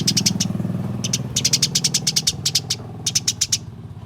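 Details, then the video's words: Fighting house sparrows, recorded as a track to get caged sparrows singing: dense, hurried runs of shrill chirps over a steady low rumbling hum, stopping near the end. "Masteran Burung Gereja Tarung"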